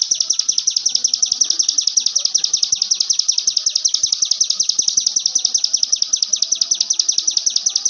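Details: Ciblek gunung delivering a nonstop 'ngebren' song for songbird tutoring: an unbroken, very rapid stream of high piercing notes, steady and even throughout.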